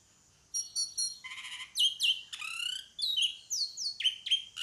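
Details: Pied myna giving a varied run of calls: a thin steady whistle, stuttering rapid notes, harsh downslurred squawks, then a string of sharp falling whistles, all loud against a quiet background.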